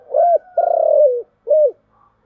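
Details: Spotted dove, called cu gáy, giving a luring 'giọng thổ' coo. A smooth opening note leads into a long throbbing coo that falls at its end, followed by a brief rounded final hoot. The setting is quiet.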